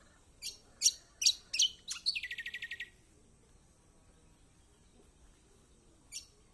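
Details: Kecial kombok song meant to prompt reluctant birds to sing: four sharp, high, separated chirps lead into a fast run of clipped repeated notes lasting about a second, then silence and one last faint chirp.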